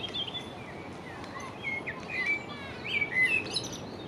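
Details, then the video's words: Common blackbird singing from the stump of a sawn-off branch beside the Long Water: mellow, fluting whistled phrases with a few higher twittering notes, over a steady broadband hiss. "Blackbird singing on stump"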